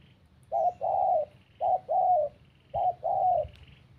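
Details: Spotted dove cooing: three low, soft phrases, each a short note followed by a longer, mellow coo, repeated about once every second, with faint distant background noise.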